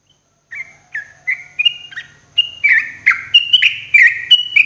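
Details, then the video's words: Morning song of a sooty-headed bulbul for cage-bird therapy. A steady series of slurred whistled notes, about three or four per second, grows louder and higher, with faint low rumbling underneath. "TERAPI TRUCUKAN PAGI HARI"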